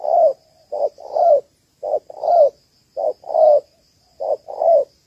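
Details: Calling female spotted dove, Malaysian type, used to lure males into a ground trap. Paired short-then-long coos repeat about every second and a quarter, deep and soft, with a faint continuous high whine.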